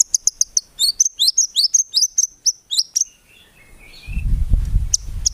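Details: Murai batu (white-rumped shama) in lively song rich in 'tembakan' fills, lacking 'ngukluk' notes: quick sharp ticks lead into a series of rising whistled notes, ending in a thin fading whistle, then low rumbling background noise.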